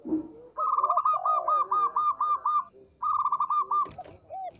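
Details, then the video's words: Lively local zebra dove in small-voiced song: two quick runs of pulsing, bead-like coos on a level pitch, separated by a brief pause, with lower looping notes underneath. "PERKUTUT LOKAL GACOR suara kecil"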